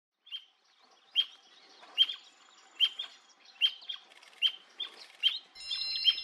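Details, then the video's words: Endangered Brasilia tapaculo (Scytalopus novacapitalis) at Serra da Canastra, Brazil, 2021, singing its long, monotonous song: a steady series of sharp, high, clipped "ewk" notes, about one every 0.8 seconds; brief hiss near the end. "Brasilia Tapaculo singing"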